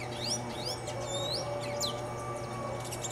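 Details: Red-cowled cardinal (Paroaria dominicana) singing in a mango tree. Clear whistled notes sweep upward, repeated in short phrases, amid busy chirping from other birds and a constant low electrical hum.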